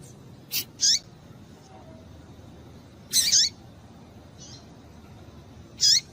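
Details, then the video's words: Female double-collared seedeater calls to stimulate males: a pair of quick high chirps, then a louder doubled note and a final bright chirp with a rising hook, separated by pauses of a few seconds. "Piado de Fêmea de Coleiro Com Piado de Fêmea de Coleiro Quente para Esquentar Coleiro tui tui"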